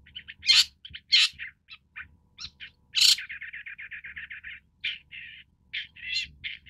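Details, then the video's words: Long-tailed Shrike, Lanius schach, giving loud harsh rasping squawks among softer chirps, then a fast rattling series of short buzzy notes about a second long, followed by more scratchy calls; quiet low hum beneath. "棕背伯勞/Long-tailed Shrike"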